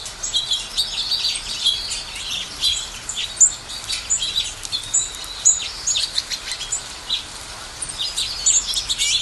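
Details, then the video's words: Mixed flock chattering with high, sharp tweets and short trills, scattered louder chirps standing out from a continuous twittering backdrop and light hiss. "Birds chirping sounds"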